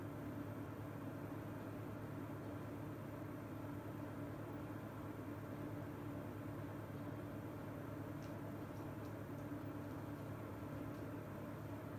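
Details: A steady low mechanical hum like an idling engine or appliance fills the recording, with a few faint clicks and no animal calls.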